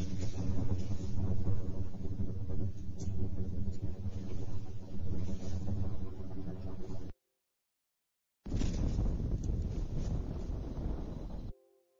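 Loud wind buffeting and a low engine-like rumble fill the recording, broken by a short silent gap, with no animal voice heard.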